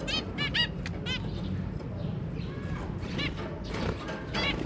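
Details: Zebra finch parents and their three babies on 23 January 2022: a few quick nasal beeps in pairs at the start and later, over steady low-pitched background noise.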